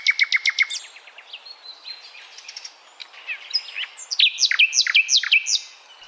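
Common Nightingale singing: a fast run of sharp repeated notes, then varied whistles, slurred phrases and loud ringing chirps in quick succession.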